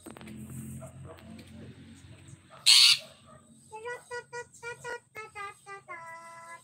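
Long-tailed shrike giving a run of nasal, ringing notes, about two per second, ending on a longer drawn note, after a low hum and one sharp loud burst.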